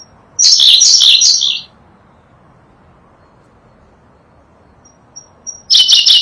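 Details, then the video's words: Tutor recording of the Sunda blue robin, endemic to Java and Sumatra: a loud, high, chattering trilled phrase lasting over a second, a long quiet gap with faint thin whistles, then another burst of rapid buzzy notes. "Berkecet biru, burung unik dengan kicauan merdu"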